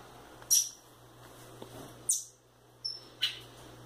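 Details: Indoors, young rufous-bellied thrushes, one female and one male, give scattered thin, high-pitched chirps, a short whistled note among them, against a quiet room hum.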